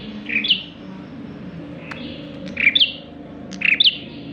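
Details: Lively Bar-winged prinia song intended to attract other birds: three short, bright two-part chirps, each a dipping note then a higher flick, separated by pauses of one to two seconds over faint background hum.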